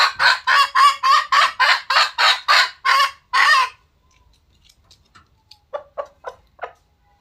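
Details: Red junglefowl giving a loud, harsh cackling series of about ten rapid, even bursts, roughly three per second, for three and a half seconds, then stopping; faint short notes follow in a quiet background.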